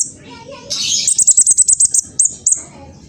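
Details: Spotted young black sunbird, East Java, phone recording of a provoking song: a buzzy rising flourish followed by a rapid row of about eight evenly spaced, very high sharp notes and two final chips.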